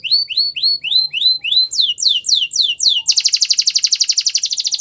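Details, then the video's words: Russian canary training song: a series of clear upslurred whistles repeated about four per second, shifting to higher downslurred notes, then a dense rapid buzzy trill. "Russian Canary Sining | Canary Training Song"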